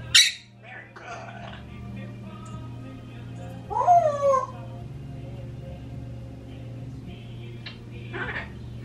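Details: Two pet parrots, a 26-year-old African grey and a 16-year-old Quaker, left alone at home; a sharp click, muttered speech-like sounds, a descending harmonic warble near the middle, and a few scattered squeaks over background hum.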